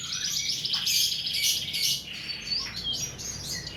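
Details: Birds singing as masteran tutor song for caged birds: fast high trilled runs and bright chirps, loudest in the first two seconds, then scattered whistled notes.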